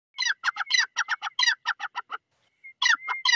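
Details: Grey francolin calling: a fast series of harsh, scratchy notes lasting about two seconds, a short pause, then the notes resume. A thin, steady whistled tone runs beneath the calls.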